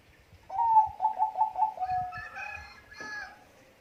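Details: A Bangkok-type zebra dove sings a quick stuttering series of short, low, mellow notes. They run into a longer falling tone and end with a brief, sharper, higher call.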